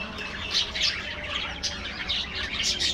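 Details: Budgerigars chattering while they eat an afternoon meal in an aviary: a dense, steady wash of high scratchy chirps with quick pulses every fraction of a second.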